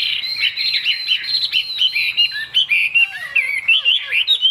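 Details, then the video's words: A fig-leaf-tailed Chinese hwamei, a caged bird kept for its singing, delivers rapid bright warbles and twisting whistles, high and unbroken at first, then breaking into short sliding phrases with a few lower notes. "Họa mi đuôi lá vả bóng bộ đẹp hót hay"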